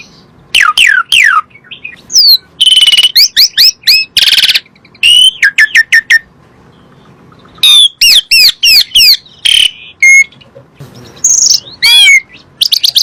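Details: Asian pied starling song played as a lure to get kept birds that are reluctant to sing to start calling again. Loud, varied phrases of clear whistles with rising and falling sweeps, mixed with harsh, rasping bursts in rapid clusters and short pauses.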